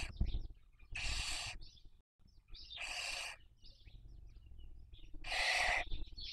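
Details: Barn owl, breeding season 2023, webcam in Cabañeros National Park, Toledo/Ciudad Real, Spain, with young being raised; three drawn-out hoarse hisses spaced about two seconds apart, small squeaky notes between them, low hum underneath.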